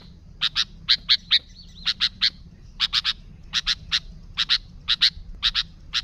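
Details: Sooty-headed bulbul, used as a lure for its own kind: rapid clusters of two or three bright, clipped chirps, evenly repeated, with a faint whistle behind the early notes.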